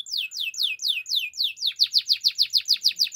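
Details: Belgian canary singing in the morning: a run of bright descending whistled sweeps about six per second, then a faster series of short clipped notes repeated rhythmically, loud and clean with a quiet background.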